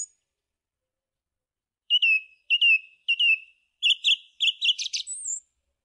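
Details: Song thrush singing a falling whistled note three times over, then a doubled chirpy phrase and a brief high slurred ending.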